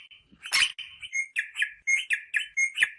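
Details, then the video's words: Rosella voice used to stimulate mating: a rapid series of short, slightly slurred whistles repeated several times a second, with a few faint clicks underneath. "صوت طائر الروزيلا للتحفيز على التزاوج"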